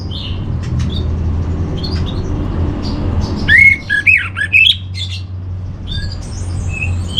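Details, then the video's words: Orange-headed thrush master song for training: soft scattered notes, then a loud one-second run of clear slurred whistles, followed by fainter high notes over steady low background noise. "Menstabilkan Burung ANIS MERAH Dirumah Baik EMOSI & Birahi dengan Mendengarkan Kicauan Masteran ini"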